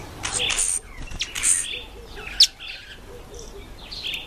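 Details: A male and female northern red bishop give high, buzzy chips and sizzling chirps in short irregular bursts, with one sharp click midway.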